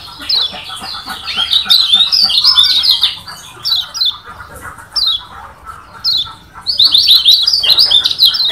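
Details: Lombok yellow white-eye from Lombok delivering a varied, rival-provoking song: dense runs of rapid high descending chirps, a stretch of separate downslurred whistles, then another fast twittering cascade.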